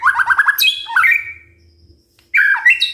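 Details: White-rumped shama singing to stir other birds into morning song: a fast stuttering series of chirps, then a high sweeping whistle and a drawn-out falling note, a short silence, and a fresh burst of varied whistles.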